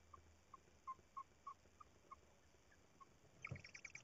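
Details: Tawny owl at the nest, early April 2019: soft, evenly spaced short chirping notes, then a louder, brighter cluster of higher squeaks near the end, with faint low rustling beneath.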